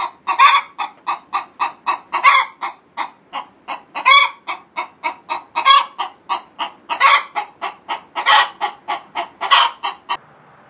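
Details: Laying hens give a fast run of clucks, two or three a second, broken every second or so by a loud, rasping squawk; egg song, here a couple of days before a hen's first egg.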